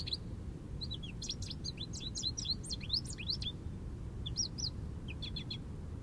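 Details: An American goldfinch in an Eastern Red Cedar, heard in the morning, sings a long, jumbled run of high twittering and sweet slurred notes, some rising and some falling, over a steady low rumble.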